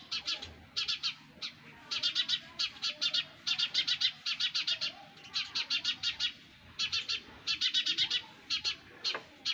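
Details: Sparrow chicks in the nest: bursts of rapid, high, scratchy chirps come in quick clusters of three to six notes with short pauses between, steady and insistent throughout.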